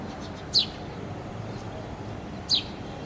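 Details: House sparrow calling in the early morning, two short, sharp high chirps about two seconds apart over a steady low background hum.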